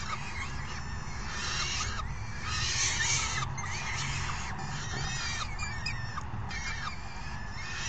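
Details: Falcon nestlings beg raucously on 3 June 2018 while a parent feeds them the meal its mate brought in; rapid, rasping, buzzy shrieks with slurred rising and falling strokes repeat in dense bouts, set against a steady low hum.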